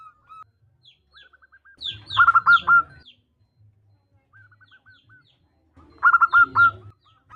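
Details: Local female zebra dove calling to attract a male: two bursts of four or five loud, clipped cooing notes, with soft thin repeated notes and a low hum between them.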